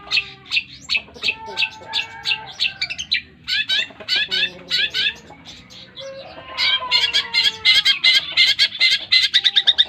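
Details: Long-tailed shrike, an eight-month-old kept songbird, performing a full Tengkek Buto style song joined with greja yeret: harsh chattering notes in quick bursts, a brief pause, then a dense rapid trill that builds toward the end.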